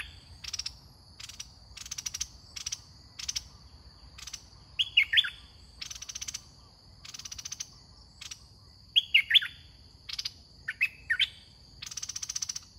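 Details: Red-whiskered bulbul kept as a caged decoy for trapping sings three quick, warbled whistle phrases among repeated buzzy, pulsing insect bursts and a constant shrill hum.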